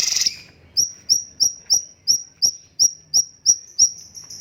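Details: Cucak cungkok bulbul repeating a thin, high, slightly rising whistle roughly three times a second, after a short harsh burst at the start.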